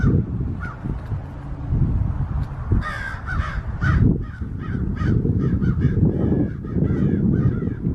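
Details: Several American crows give harsh, rapid, repeated caws while mobbing a red-tailed hawk perched in a backyard tree, trying to drive it away; a steady low rumble of wind runs underneath.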